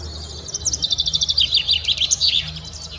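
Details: Common Chaffinch delivering its melodious cascading phrase, one of the first songs of spring: fast repeated high notes that speed up, then drop in pitch into a tumbling run and a final flourish, over faint low background noise.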